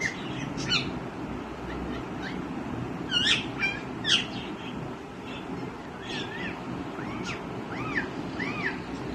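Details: Young green ringneck parrot calling: scattered short chirps early on, then a run of arched, rising-and-falling squawky notes spaced about a second apart over a steady hiss of background noise.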